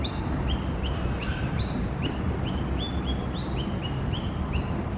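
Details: A young magpie searching the ground for worms gives a near-continuous series of high, squeaky, upward-flicking chirps, some paired, roughly three or four a second, with a steady low hum of traffic behind.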